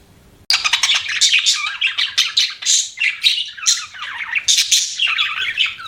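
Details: Pet budgerigars chirping; after half a second of quiet, a dense run of scratchy warbles and squawky chirps fills the rest, with overlapping notes suggesting more than one bird.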